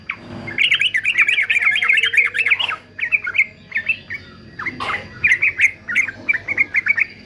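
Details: Fighter male yellow-vented bulbul, recorded for song training: a long, fast, babbling warble followed by shorter clipped phrases separated by brief gaps, with a faint steady hum underneath.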